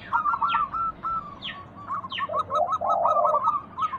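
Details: Local zebra dove cooing in a lure for other doves: a long line of quick, even staccato notes with a low, smooth cooing phrase underneath. Sharp, thin descending whistles from other birds recur about once a second.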